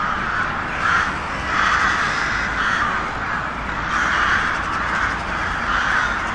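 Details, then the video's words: Crows giving a steady wash of rough cawing, with the many voices swelling in loudness about once a second. "Sunete de ciori. Sunete de pasare cioara."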